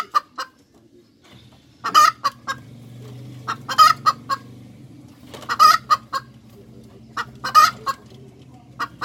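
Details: Hens cackling: strident, clipped notes in regular clusters about every two seconds over a steady low hum.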